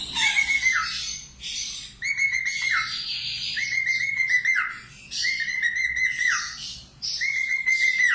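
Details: Very vocal budgerigar singing, used as a training song for cockatiels: a dense, scratchy warble of high chatter over steady whistled notes, each held about a second and then dropping, repeated in bursts with short pauses.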